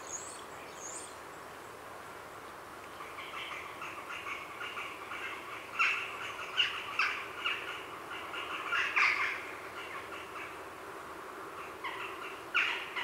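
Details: Grey heron heronry in the afternoon, recorded close. After a quiet start with a high thin call, harsh chattering builds into repeated loud rasping bursts, with jackdaws and a blue tit in the background.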